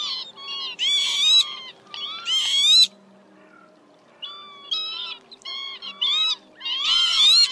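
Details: Lapwing flock call used for night-net trapping during migration: loud wheezy slurred cries come in clusters, with a near-silent gap midway, then shorter notes and a final strong overlapping burst.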